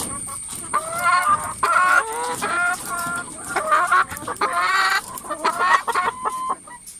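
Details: Many hens crowded in a coop calling together: overlapping nasal, wavering clucks and drawn-out squawks in dense irregular bursts, with a steady high-pitched whine running through the background.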